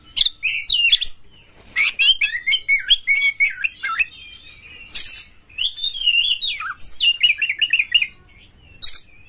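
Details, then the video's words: Oriental magpie-robin (kacer) lure song aimed at making caged birds sing hard and fight; varied melodious whistles, warbled trills and sharp mimicked notes in fast phrases separated by short gaps. "Pancingan KACER TOP2024 bikin burung KACER Buka Ekor KONSLET bongkar MATERI FULL NGOTOT DAN TARUNG"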